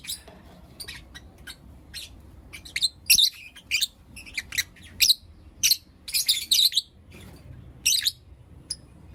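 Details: Lovebirds of Blue Opaline and Lutino Opaline colour chirping in the morning, scattered thin ticks building into louder, harsh high chirp bursts toward the middle and end.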